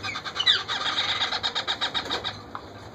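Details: Wild parakeet chicks begging while being fed by their parent: a rapid stream of harsh, raspy, high-pitched, buzzy notes, about five per second, with a faint hum of traffic underneath.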